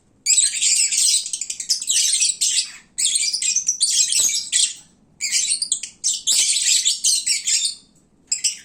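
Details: Midday lovebird racket when the birds are fed and drowsy: shrill chirping bursts a second or two long separated by quiet gaps, compared to a bird market.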